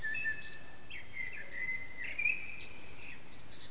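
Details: Common blackbird at dawn, about 4:40am, in a backyard that echoes, recorded on a phone: long level fluted whistles and sliding notes followed by squeaky high twitters, over a constant faint hiss.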